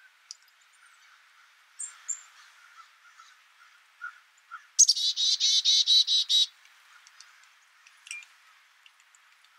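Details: Black-capped chickadee: after scattered soft high chips, a loud buzzy series of about seven harsh, even notes runs for under two seconds, followed by a few more faint chirps.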